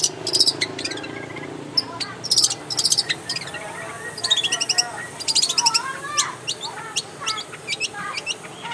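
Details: Long-tailed shrike in its natural habitat giving bursts of sharp clicking notes, high squeaky chips and quick rising whistles, in a jumbled, varied sequence over a soft background hiss.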